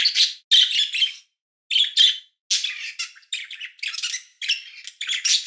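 A chickadee gives high, buzzy, scratchy chattering notes in short bursts, several per second with brief pauses between bouts. No other sounds stand out.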